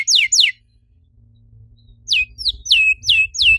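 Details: Canary singing as a lure for other canaries: two sharp falling whistles, then a pause of over a second, then five more high notes, each falling to a brief steady tone.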